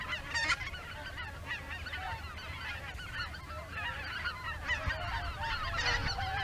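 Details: Greater white-fronted geese near Izunuma, Miyagi Prefecture, Japan, flying in formation before dusk on the way to feed again, often changing positions: a dense chorus of overlapping yelping honks from many birds, with a low rumbling background.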